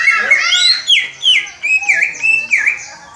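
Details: Young captive greater green leafbird learning to sing, copying the 'Om Telolet Om' bus horn tune, still early in training; bright whistled notes, the first rising and sliding, then a string of repeated dipping whistles in a clear rhythm.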